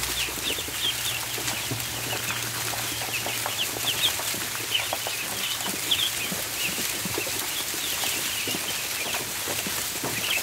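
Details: Ducklings on the barn floor at feeding time, many high, short peeps overlapping in a continuous busy chorus, with scuffling and a low steady hum beneath.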